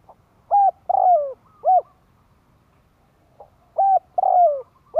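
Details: Spotted dove calling to lure other doves: two three-note phrases, a short low coo, a longer falling crooning coo and a final short coo, separated by a pause of about two seconds, in quiet surroundings.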